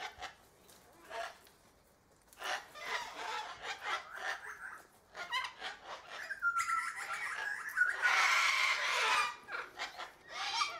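A sulphur-crested cockatoo gives harsh, raspy screeches in uneven bursts, with some softer chattering notes and a brief thin whistle partway through.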